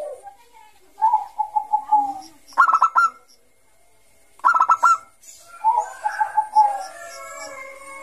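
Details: Zebra dove of the Bangkok type, in full 'gacor ngayer' song, used as a lure for young doves: runs of quick, even coos alternate with bursts of sharper rolling notes, the coo series returning after a pause.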